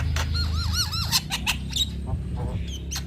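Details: Male black-winged starling singing in full voice: looping up-and-down whistled notes and sharp chirps over a steady low hum and some background noise.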